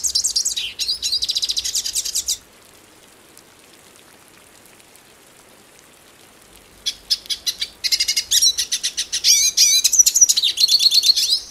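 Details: Hooded siskin, a Brazilian bird known locally as pintassilgo cabeça preta, singing in two bursts of rapid high twittering with buzzy trills and thin whistled notes, separated by about four seconds of silence.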